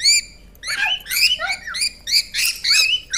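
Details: Pet parrot at home, kept near a baby, giving a run of harsh, bright squawking calls in short bursts, each rising and falling with strong overtones, separated by brief pauses.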